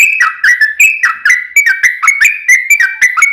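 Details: Sooty-headed bulbul singing to provoke a reply from another bird: rapid, continuous run of clear whistled notes with sharp downward slurs, repeated several times a second.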